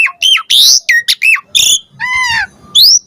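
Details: Asian pied starling singing as a lure for other birds: a short burst of loud, harsh squawking notes and bent whistles, ending in a nasal drawn-out note and a rising whistle.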